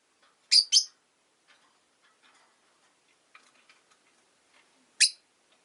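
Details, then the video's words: Two loud high chirps in rapid succession from captive Rosy-faced lovebirds, five in a window-side cage in winter, followed by soft scratchy chatter and clicks, then one more piercing chirp. "Lovebird Chirping Sounds"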